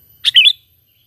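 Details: A single brief, liquid chirped phrase of a sooty-headed bulbul, a natural lure call for trapping without mimicked notes, dipping then rising over a fraction of a second.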